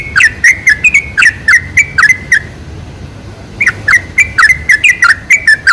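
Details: Sooty-headed bulbul song used as a lure to attract bulbuls: rapid bubbly, liquid whistled notes, several per second, in two bursts separated by a brief pause near the middle.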